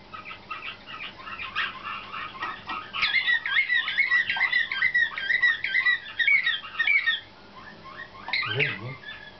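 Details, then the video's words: Young caged canaries hatched in 2013 and selected for competition, in training with slavujar (nightingale-type) song: a dense run of rapid trills and chirps, then a steady, even, high warbling trill, ending with a brief dip and a sharp upswept note. "CANAR SLAVUJAR PUI 2013"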